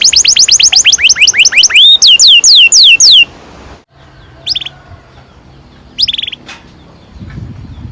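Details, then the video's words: Canary used to lure young canaries into singing: about three seconds of rapid, loud, downslurred rolling notes, then quiet with two brief chirp bursts and faint background hiss. "Kenari gacor NGEROL PANJANG"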